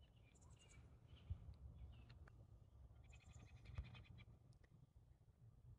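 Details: Two bald eagles perched at the top of a tree give thin, high chittering calls in short bursts of rapid notes, fairly faint over steady low wind rumble and handling noise.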